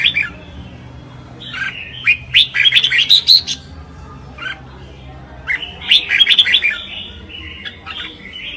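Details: Red-whiskered bulbul singing competitively (chào mào hót đấu): repeated bursts of quick, liquid whistled notes and sharp upslurred chirps, two main phrases separated by a quieter spell, faint hum behind.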